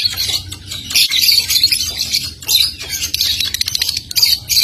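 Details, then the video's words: Young lovebirds in training give a dense, chattering ngetik-style twitter of rapid ticking notes, continuous and high-pitched with bursts throughout. "LOVEBIRD PAUD NGETIK SAMBUNG NGEKEK"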